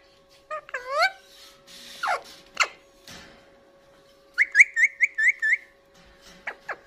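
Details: Indian ringneck parakeet kept as a pet, vocalising while eating: curved whistled notes and sharp downward squeaks, then a quick run of six bright repeated chirps, all over a low steady room hum.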